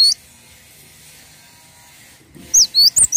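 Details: Cinereous tit (gelatik watu) in a tutor recording: a lone high whistle at the start, a long near-silent gap, then four sharp, bright, high notes in quick succession near the end.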